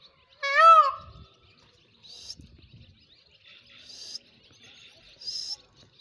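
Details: A single loud, arched, nasal peacock wail, followed by quieter high chirps from other birds and faint rustling.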